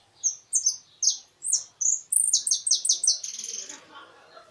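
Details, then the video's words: European goldfinch song ending in a closing phrase (cierre): bright, high twittering notes, then a fast run of about eight repeated sharp chips, finishing with a short buzzy rasp. Faint low background noise. "Unos de los jilguero para el.campo con cierre"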